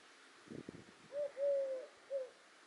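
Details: Little owl recorded at Roquesérière, France, on 5 August 2022 gives three soft hooting notes: short, longer and slightly rising, then short, after a few dull knocks.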